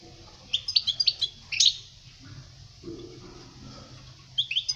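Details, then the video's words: European goldfinch song meant for teaching young birds to sing: short bursts of bright twittering notes around two to six kilohertz, a cluster in the first second and a half, then a pause and a brief phrase at the end. "Chant chardonneret pour les jeuns لتعليم صغار طائر الحسون"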